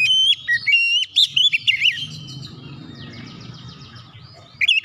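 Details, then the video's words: White-rumped shama song used to stir other shamas to sing: rapid loud whistled phrases with sharp up-and-down sweeps in the first two seconds, then a softer run of fast buzzy trills, ending with another loud note. "PANCINGAN KACER CEPAT EMOSI 100% KACER MACET MALAS BUNYI CEPAT GACOR"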